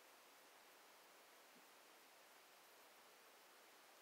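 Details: Very quiet, even hiss throughout, with no animal sound.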